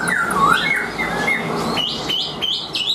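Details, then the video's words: Chinese hwamei, caged and hand-tame, sings a deep swooping whistle, then a series of short, clear notes climbing in steps, repeated about twice a second. "Chim Họa Mi Hót Đỉnh Cao, Thuần Sách Tay Hót"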